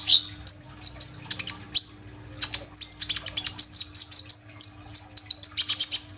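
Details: Sunbird called kolibri ninja in full song on a phone recording used as a lure: scattered high chips and downward sweeps, then a lively stream of piercing, very high notes with fast trilled rolls toward the end.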